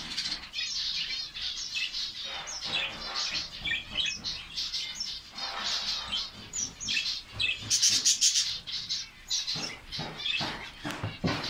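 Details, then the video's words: A Saudi Arabian finch colony in full chorus: continuous overlapping high chirps, twitters and short trills from many birds, growing denser and louder toward the middle. "fince birds colony ফিঞ্চ পাখির কলোনি সৌদি আরব"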